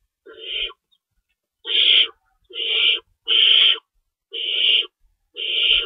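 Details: At an owl nest during a night feeding at 3:53 AM, March 25, 2012, with two rabbits stockpiled and an adult tearing up prey; six rasping, breathy screech bursts at uneven gaps, loud and grating.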